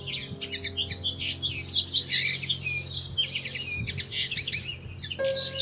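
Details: Small birds chatter in a dense stream of high, buzzy, scratchy notes with sharp chirps over a faint low hum, identified as weavers, though a nesting pair of Bushtits in a plum tree in early May is described.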